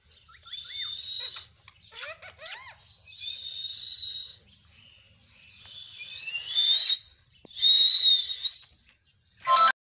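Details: Green parrot making sustained high whistles with short rising and falling chirps, several long level tones broken by pauses, and a sharp squeak at the end.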